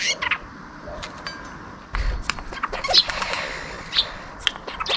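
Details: Eurasian jay imitating a car failing to start, sparrow chirps and a bell, recorded 18 February 2023: scattered clicks, rasping bursts and sharp high chirps over steady background noise.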